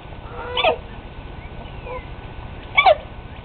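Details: A domestic rooster that sneezes at random, not sick and possibly reacting to allergies; two short, sharp, harmonic bursts arrive about two seconds apart over a faint steady hum.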